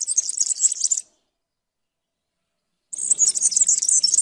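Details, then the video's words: Fast, squeaky, tinkling trills from a European serin, in two bursts of about a second each separated by a short silence. "تغريد طائر السمريس/ البسبوس (الزخنين) chant du serin cini, el verdecillo"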